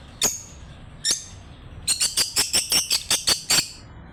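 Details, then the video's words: Pet lovebirds chirping together: two sharp separate chirps, a short pause, then a quick run of about eight bright, high squeaky chirps in rhythm. "Lovebirds Singing and Chirping Sounds"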